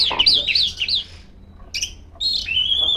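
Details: Female Oriental magpie-robin singing continuously to call rivals: a run of loud wavering whistled phrases, a short pause, a sharp double note, then a long clear whistle sliding slightly upward.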